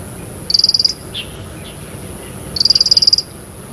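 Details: Two quick, high-pitched stuttering trills from a Bar-winged prinia, each a fast run of about ten sharp even notes lasting under a second, separated by a two-second pause with a faint soft chirp between them.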